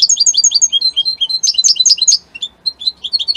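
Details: European goldfinch from Italy singing a rapid, continuous twittering song of bright, high chirps and buzzy notes, tumbling up and down with scarcely a pause, one brief gap midway.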